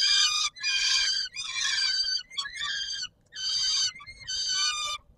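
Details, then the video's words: At the Palace of Culture and Science in Warsaw, Poland, on 17 July 2022, a peregrine falcon gives repeated rough, scratchy calls at feeding time, some drawn out and some choppy, with brief gaps between. "Sokół wędrowny PKiN Warszawa - Chłopaki wstawać kolacja"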